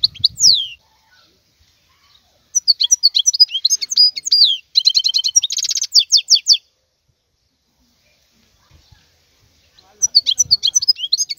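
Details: Wild goldfinch song in separate bouts: a falling whistle, then a long twittering phrase with a dense buzzy trill, several seconds of silence, and a final burst of chirps.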